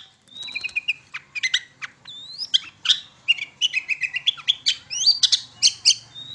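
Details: Long-tailed shrike used as a singing lure: a long, mixed phrase of whistles, buzzy notes and rapid chips, with several upslurred whistles woven into dense chatter.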